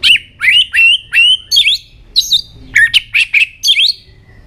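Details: White-rumped shama singing and flicking its tail to fire up young birds; rapid series of loud, slurred whistles with buzzy edges, about two notes per second with a brief pause midway.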